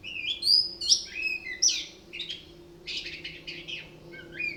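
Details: Orange-headed thrush singing a varied, mimicking song: loud sweeping whistles, slurred rising and falling notes, then a burst of rapid buzzy chatter, with a faint steady hum behind.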